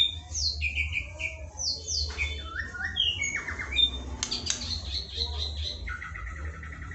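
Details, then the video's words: White-rumped shama (murai batu) filler song used as training audio for a lazy shama: rapid series of clear descending whistles and short repeated notes, a dense buzzy burst mid-way, with a steady low hum underneath. "LATIHAN ISAN KICAU UNTUK MURAI BATU YANG MALAS BUNYI"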